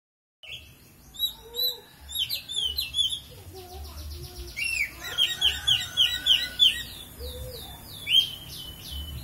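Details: Oriental magpie-robin singing in the style called bido kelik: a dense, varied run of sharp whistled upslurs, chirps and rapid buzzy trills, mostly high-pitched, with phrases tumbling together and a faint low rumble underneath.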